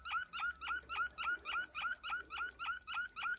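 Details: Waterslager (Malinois) canary recorded in 2020, singing a steady run of about twelve short, low, rising whistled notes. Each note has a clipped, bubbling edge, and they repeat three to four times a second in a quiet indoor setting.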